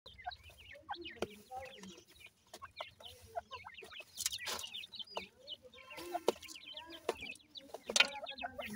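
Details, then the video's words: Francolin (teetar) chicks with their family, giving many short high peeping and chirping notes, densely overlapping, with a few lower clucks and wing or movement noises. "baby teetar with family,pheasant baby voice"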